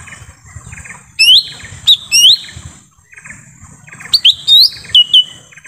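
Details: Lesser green leafbird in forest, used as a lure sound to attract wild birds: loud, sharp whistled notes sweeping down then slurring upward, in two bursts of three or four notes, over faint rustling background.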